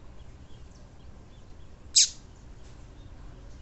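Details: A single brief, high, steeply descending note from a female double-collared seedeater, a call used to excite males, heard against soft, steady background hiss.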